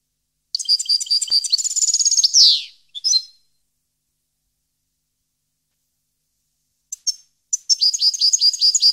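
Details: European goldfinch song recorded at Parva in 2015: a fast tinkling phrase with a rasping descending end and a brief follow-up chirp, long silence, then scattered chirps building into another twittering run.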